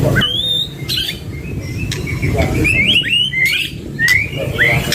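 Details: White-rumped shama, one of a pair singing, offering a series of clear rising whistles and short slurred notes roughly every half second against a low rumbling background.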